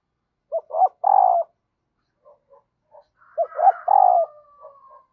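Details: Female dove calling to excite the male, a call said to draw wild doves to respond quickly: two low cooing phrases, each a short note, a hiccup and a long throaty coo, with a faint thin whistle over the second.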